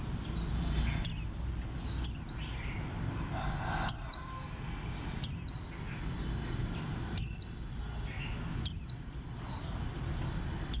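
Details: Green white-eye (khuyên xanh), bantam-shaped bird ID 04, sings a run of short, sharp, descending high notes, seven bursts over eleven seconds at irregular spacing, with steady faint twittering behind.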